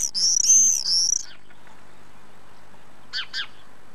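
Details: Inside a nest box under house eaves in Van, Llanidloes, Wednesday 6 June around 9am, as swifts divebomb the box: one loud, piercing scream of just over a second, then two brief faint downward chirps, near-silent between.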